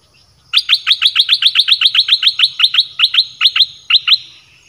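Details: Caged red-whiskered bulbul singing a Dok Taeng style song used to lure wild birds: a fast run of about seventeen sharp, bright, downward-sliding chirps, several each second, fading out near the end.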